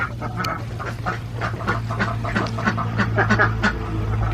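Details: Alabio ducks on a central Java farm, an endemic Borneo breed, utter short rasping quacks several times a second over a steady low mechanical hum.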